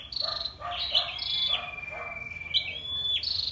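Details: A female scarlet-backed flowerpecker (Dicaeum cruentatum), vigorously active, gives thin, sharp, very high chips in quick bursts, with a steady high-pitched whine running underneath.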